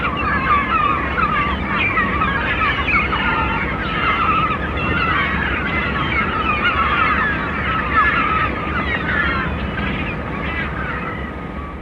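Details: Gulls flying over the sea give overlapping mewing and squealing calls, many voices at once, over a steady roar of sea and wind.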